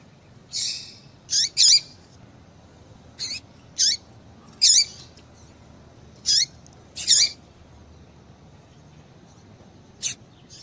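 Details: Irregular series of short, buzzy, high-pitched chips from a female double-collared seedeater, about ten notes in eleven seconds, some paired. The call is used to get a male singing.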